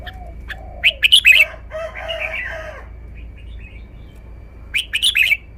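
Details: Red-whiskered bulbul song: two quick phrases of bright, rising and falling warbled notes, split by a dense, harsh crowing-like burst, over faint low calls and a steady high background tone.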